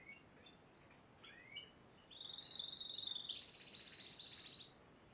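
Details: Spanish Timbrado canary, yellow, recorded in 2011: a few scattered chirps and rising notes, then a sustained, steadily rolling high trill lasting over two seconds before fading.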